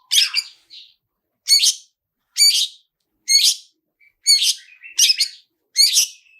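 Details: Long-tailed shrike giving a 'toet toet' song with rich fill-in phrases, used as a lure to set other shrikes singing: harsh, buzzy high notes repeated about every second, with a short thin whistle between them.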